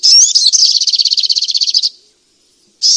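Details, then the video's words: Sogok ontong, the striated grassbird, opens with a high rising whistle and breaks into a rapid pulsing rattle lasting over a second. It ends abruptly, followed by a short silence before another phrase begins, with no other sounds. "Terapi Burung Sogok Ontong lelet dan males bunyi"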